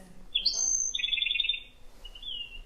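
Black-throated Sparrow song: high, tinkly notes, then a fast metallic trill and a final thinner trill with a sweet, musical edge.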